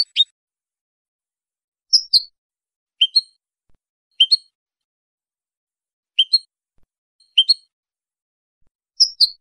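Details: Male caged European goldfinch from Morocco singing in the clean 'limpio' style, 2023: short bright high chirps and twittering two-note phrases spaced by pauses of a second or more, on a silent background.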